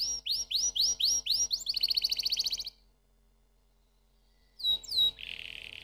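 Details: Canary song beginning with rising slurred notes and a quick buzzy trill, followed by about two seconds of silence, then clear whistled notes and a low steady buzz.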